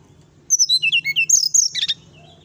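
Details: Brown-chested jungle flycatcher singing in the morning: a quick string of sweet whistled notes slipping downward, then a brighter, scratchy high flourish, over a faint low hum.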